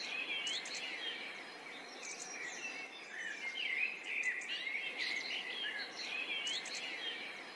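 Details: A pair of sparrows feeding together happily: continuous busy chirping and twittering, short varied notes tumbling over one another with a few sharper high ticks, over steady background hiss.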